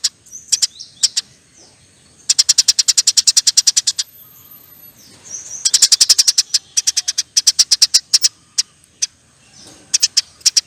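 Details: Sparrow singing a long, lively chattering sequence as songbird training material. Extended rapid-fire chirp runs, some very dense, alternate with scattered single notes and brief gaps.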